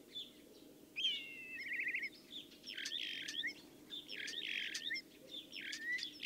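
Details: Common Starling singing: a sliding whistle, then a stuttered trill, followed by repeated harsh, broad rasping bursts and clicks, with a faint steady low hum underneath.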